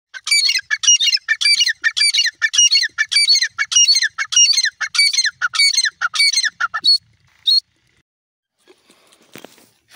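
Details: Grey francolin calling: loud, sharp, ringing notes with layered harmonics, delivered in a fast, steady series of nearly two per second for about seven seconds, then two spaced final notes and quiet.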